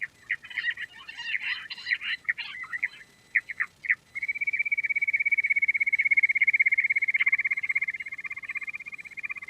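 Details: Queen quail starting with scratchy chattering and a few separate chirps, then holding a long, steady, rapid pulsing trill for about five seconds.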